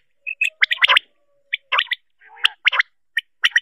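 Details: Female common quail calling in short, harsh chirpy bursts, some rasping and some sharper, separated by brief gaps, with a faint steady low whistle in the background.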